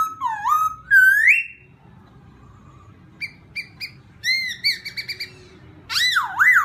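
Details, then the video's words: Laughingthrush song used to provoke another bird: loud rich whistled notes with sweeping rises and falls, a quiet pause, then short repeated chirps and a final loud wavering whistle. "khướu kích bổi"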